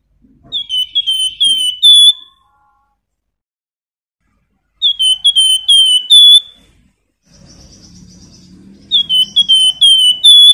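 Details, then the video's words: Flamboyan bird giving its nyiul song to draw other birds into singing: three bursts of quick high whistles, the last ending in a rising note, with a faint hiss and low murmur between phrases. "Raja Nyiul Burung Flamboyan cocok untuk pancingan"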